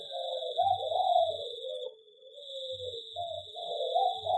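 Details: Local zebra dove in a mini aviary singing a chain of low, wavering coos with a short dip in the middle, faint low thumps underneath and a constant high-pitched hum behind.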